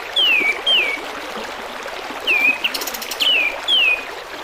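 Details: Sooty-headed bulbul song played over trickling water as a tutor for other birds: loud, clear whistles sliding downward, given in pairs and repeated about five times, with a brief rattle in the middle.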